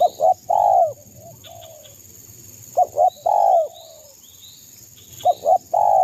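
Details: East Java local spotted dove used as a lure to provoke rivals: three loud phrases of two clipped coos followed by a long, slightly falling coo, repeated about every two and a half seconds, with soft faint chirps between.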